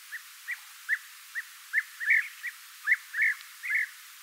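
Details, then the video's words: Golden or European bee-eater calling steadily: short trilled notes about twice a second, later ones fuller and more rolling, several clustered close together near the end. "The sound of a golden bee eater European bee eater"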